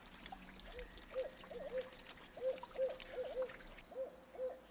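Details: Barred owl, a bird of wooded swamps on the East Coast of North America, gives a rhythmic series of mellow, wavering hoots in quick groups over a steady high-pitched whine.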